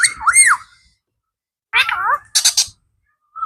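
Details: Blue ringneck parrot kept as a pet, mimicking speech: an arching whistled syllable, then a wobbling voice-like phrase and a short harsh buzzy burst, ending with a faint whistle.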